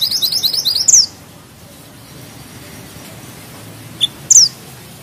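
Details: Bushchat, locally called mantenan gunung, singing vigorously: a one-second, very high, rolling trill ending in a sharp downslurred whistle. After a pause come a short high note and another sharp slurred whistle.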